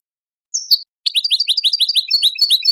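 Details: European goldfinch kept for breeding, singing as part of song training meant to stimulate mating: a brief high whistled note, then a rapid run of bright, twittering, liquid notes with buzzy edges, delivered continuously for nearly two seconds.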